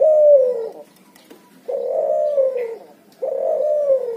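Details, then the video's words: Three drawn-out cooing phrases from a cuhu, a barbary dove and spotted dove cross, given in the ngoar nguku style. Each coo is low, steady and gently falling, separated by short pauses. "suara burung cuhu gacor ngoar nguku hasil silang puterxtekukur"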